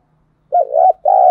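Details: A decoy spotted dove calls to attract wild doves. After a silent pause comes a low, throaty, rolling coo, followed by a sustained, steady, mellow coo that is cut off at the end.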